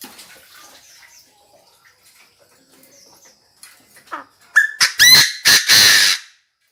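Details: Chinese francolin decoy bird calling to gather the flock: after several quiet seconds with faint distant chirps, a loud burst of four or five harsh, rasping notes ends the clip, one with a short rising whistled start.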